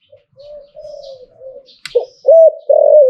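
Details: Zebra dove from Thailand singing in the hlio-tan style: soft low coos, then a sharp click, then two loud rolling coos with a looped note, with faint high chirps in the background.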